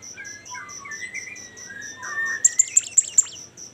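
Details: Bimoli song with varied, slurred mid-pitched warbles and a long thin whistle, then five sharp, very high notes dropping steeply in quick succession, backed by a constant rapid high pulsing.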